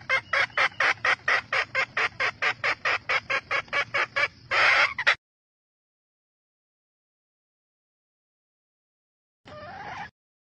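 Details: Red junglefowl hen, calling to stimulate males, gives a rapid series of harsh clucks that ends in a short loud squawk, followed after a long silence by one brief rough call.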